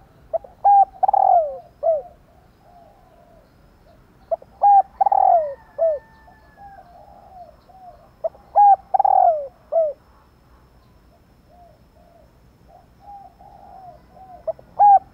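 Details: Female spotted dove calling to trigger the cooing of males. Three phrases roughly every four seconds, each of quick hoots ending in a long descending coo, with quieter cooing in the pauses.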